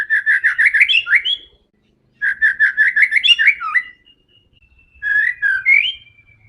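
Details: Aggressive white-rumped shama song used to provoke rival birds: three bursts of fast, rhythmic chirps rising into sharp whistles, separated by short pauses, plus a thin held whistle.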